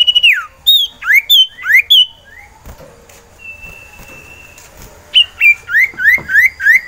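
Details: Caged male sirtu, a type of iora (cipoh), in breeding condition, singing to call for a female to mate; loud whistled notes that swoop down and up, a long steady whistle, then a rapid series of rising whistles.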